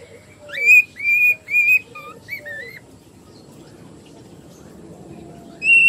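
Cockatiels sing in clear, bright whistles, short level and wavering notes repeated in a quick phrase.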